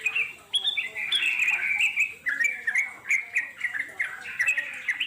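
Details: Wild sooty-headed bulbul in its natural setting, a lure recording meant to draw answering birds; a fast, chattering song of bubbly notes around the upper-middle range, continuous with brief dips, plus faint lower warbles beneath.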